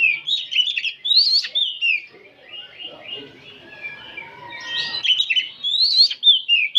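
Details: Oriental magpie-robins singing together in the afternoon, a massed chorus used as training material: loud, varied whistled and slurred phrases, some rising and falling, follow one another rapidly, with a quieter murmur of softer notes in the middle.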